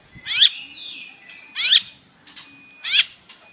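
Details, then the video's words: White-rumped shama, a captive bird, singing in the morning as a lure to provoke song; three loud clipped whistled notes with fast downward sweeps, repeated about every 1.3 seconds, with faint thin tones between. "PANCINGAN pagi hari EFEKTIF bikin Gacor dengan suara murai batu isian"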